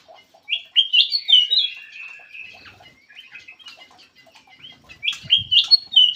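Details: Lure call of the black-crested bulbul: loud bursts of sliding whistles and chirps at the start and end, with softer scattered notes and a brief low rustle between.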